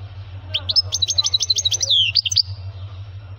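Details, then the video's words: Male European goldfinch singing strongly: a rapid burst of bright, sharply repeated chirps with a short slurred phrase, over a steady low hum, followed by quiet. "ذكر حسون مقنين يغرد بصوت قوي - Voix de chardonneret -Chant Chardonneret"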